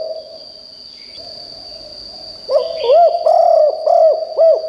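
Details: After a quiet start, a spotted dove used as a decoy for wild birds gives a quick run of about five soft, arched coos near the end, with a constant high-pitched electronic whine behind.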